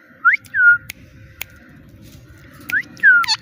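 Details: Talking pet parrot saying "Mitthu Mitthu": short, bright whistled syllables, some rising and some falling, in two pairs separated by a quiet pause, with faint room noise beneath.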